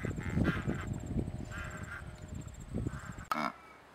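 Cape Barren Goose giving deep, resonant grunts in a quick series, broken by louder, harsher honking shouts about every second; a sharp knock sounds near the end.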